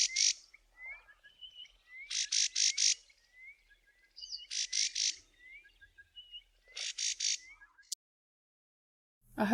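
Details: Karoo prinia from the southern Karoo warning of a person walking past its roost bush early one morning: harsh, rasping notes in clusters of three or four every two seconds or so, with faint rising piping whistles between.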